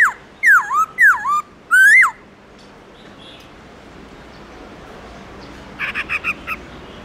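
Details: Black-throated laughingthrush singing its wild-style morning song: three loud looping whistles in quick succession, then softer, rapid chattering notes trailing off after a pause.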